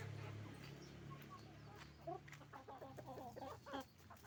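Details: Roosters and hens on a chicken farm; a flock of clucking birds, short harsh notes piling up in a dense chatter through the second half over a steady low machine hum.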